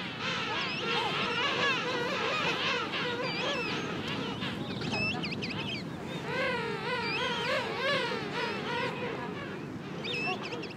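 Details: King penguins at a colony at Gold Harbour, South Georgia, February 2022, give loud, brassy, warbling calls that waver up and down in pitch, many birds overlapping in a constant chorus.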